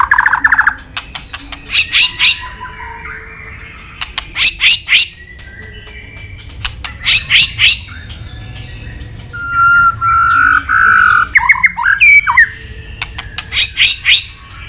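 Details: White-rumped shama training song with long phrases and many forest voices, with sharp tack clicks and tail beating: bursts of clicks alternate with whistled notes and a long warbled phrase near the end.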